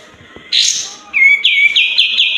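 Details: White-eared bulbul used to prompt sluggish or silent birds to sing: a loud, harsh, buzzy burst, then a clear whistled note and a run of bright, repeated, slightly slurred whistles about every quarter second.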